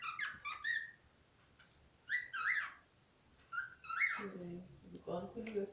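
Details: Singing pet cockatiel kept indoors, giving short bursts of clear whistled and chattering notes separated by pauses, while a person talks over the later part.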